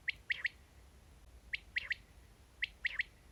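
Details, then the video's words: Lure call of a quail for trapping in nets, three clean phrases, each a lone clipped note followed by two quick notes, spaced about one second apart, over quiet background noise. "Batair ki Masti wali Awaz | بٹیر کی جادو والی اواز اس اواز کے اوپر بٹیر خود بخود جال میں ا کے لگ جات"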